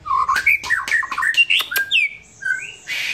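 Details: White-rumped shama singing in a relaxed mood, a quick chatter of varied whistled notes and clicks, then a few longer pure whistles and a soft hiss at the end.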